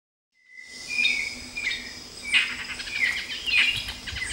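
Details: Streaked flycatcher (Myiodynastes maculatus, Bem-te-vi-rajado) giving short, squeaky, slurred notes, several in a row at uneven intervals, over a steady high buzz of insects and other faint chirps.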